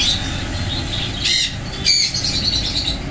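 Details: An adult pair of Double-barred (owl) finches in Thoothukudi give soft, high, nasal chirps in uneven bursts, with a steady low rumble of background noise beneath them.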